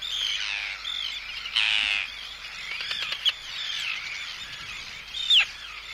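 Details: Arctic terns in a colony give harsh, grating close-up anxiety and threat calls at an intruder over a dense colony chorus, chicks also calling, with a loud rasping burst and a sharp downslurred cry toward the end.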